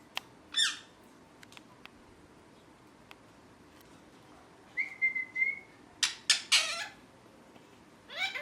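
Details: Green ringneck parakeet kept as a talking pet, with scattered clicks, one steady whistled note, then a quick cluster of loud harsh chirps and a final squawk.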